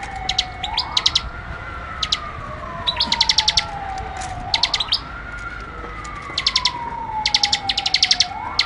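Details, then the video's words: Rapid clusters of high, clicking chirps from a prinia, sung in dense ngebren fashion, separated by brief gaps, with a cyclic siren rising and falling underneath throughout. "Ciblek AK47 Ngebren Rapat Tembakan Tajam"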